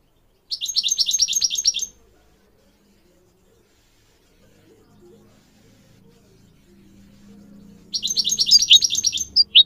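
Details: Tutor song of a goldfinch for teaching goldfinch mules and canary: a short, fast trilled burst, a long quiet stretch with faint low murmuring, then another rapid twittering phrase.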